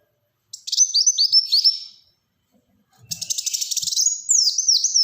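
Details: Black-throated sunbird song: a quick series of high slurred chirps, a pause, then a rapid ticking burst flowing into sweeping whistles.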